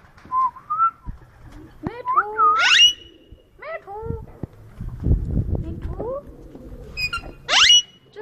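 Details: Ringneck parrot in Bahria Town, Lahore, Pakistan, mixing squeaky whistled and bent notes with several sharp rising shrieks. A low rumbling noise runs through the middle of the recording.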